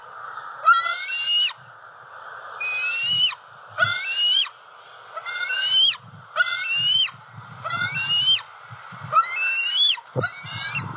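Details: Juvenile female bald eagle, six months old, calling for breakfast from the nest tree near a pond in Southwest Florida on 4 October 2020: about nine stepped, whistled calls at irregular gaps, with low rumbling bursts and constant hiss underneath.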